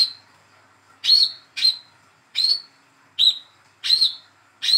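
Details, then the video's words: Spotted juvenile olive-backed sunbird, hand-reared, calling to coax a silent bird into song: about seven short, high whistled chips in quick, irregular succession. "PANCINGAN CALL KOLIBRI KELAPA/WICEH MUDA TROTOL BAHAN MACET BUNYI"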